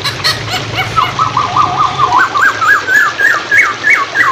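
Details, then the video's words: Hwamei training song over flowing water. A few sharp chirps open, then fast repeated whistled notes follow in a rapid series, creeping gradually higher in pitch. "MASTERAN POKSAY HONGKONG / PANCINGAN SUARA MACET"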